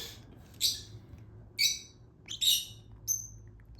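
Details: Baby lutino Fischer's lovebird being hand-fed, giving scattered shrill rasping begging squeaks, each brief and high, separated by short pauses over a faint low hum.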